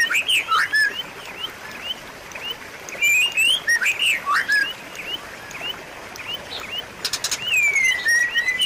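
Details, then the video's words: White-rumped shama singing, meant as a lure for a shama that has stopped singing: bursts of loud, varied whistled and slurred notes alternate with quieter stretches of repeated short rising chirps, with a brief buzzy rattle near the end. "pancingan dan masteran murai batu macet bunyi"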